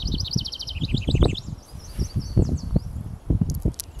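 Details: House wren singing from a pine treetop in the early morning of May 28, 2023, Kennebecasis Park, New Brunswick: fast bubbly trills tumbling into a looser descending jumble, over loud low wind or handling noise.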